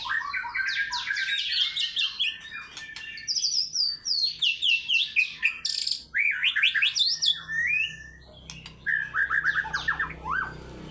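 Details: White-rumped shama singing hard in fighter style and displaying its range: fast chattering bursts, high whistled runs and stuttered slurs, delivered in quick succession with short gaps.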